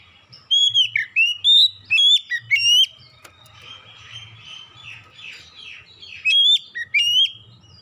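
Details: Kacer, the oriental magpie-robin, singing a lure song meant to get birds singing: clear looping whistles and quick upswept notes in two loud bursts, with softer buzzy twittering between them and a low background hum.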